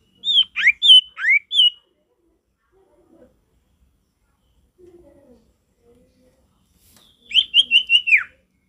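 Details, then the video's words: Male sirtu singing: loud bursts of sharp, downslurred whistled notes in quick runs, a cluster at the start and another near the end, with quiet faint chatter between. "Sirtu gacor gak ada lawan suara ngalas alami"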